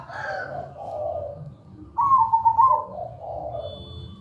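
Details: Zebra dove cooing with a good rhythm: soft low coos first, then a loud bubbling trilled phrase lasting under a second, followed by more gentle coos; a faint thin high whistle appears near the end.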